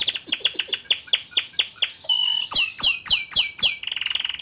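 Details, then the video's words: Young male canary singing to rouse a juvenile into song, with a string of sharp descending chirps, a steady whistled tone, loud down-slurs and a closing fast trill. "Memancing Emosi Kenari Paud Dengan Kicauan Kenari Jantan Muda Agar Cepat Buka Paruh"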